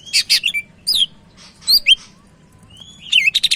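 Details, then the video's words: Caged Sumatran leafbird singing energetically: loud buzzy chattering bursts alternate with sharp high whistled slurs and a long thin rising whistle, ending in a quick stuttered series of bright notes. "Burung Cak Ijo Medan Gacor"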